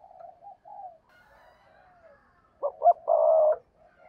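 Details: Spotted dove serving as a decoy for wild doves. Soft low coos and a faint higher note come first, then a loud phrase of two short pulses and a long, even croo.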